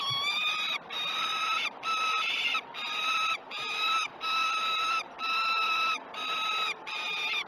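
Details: At a Great Spirit Bluff nest cam during breakfast on 21 June 2018, a peregrine falcon gives about eight drawn-out, nasal, harmonic wails in steady succession, each near a second long with brief gaps, over faint background hiss.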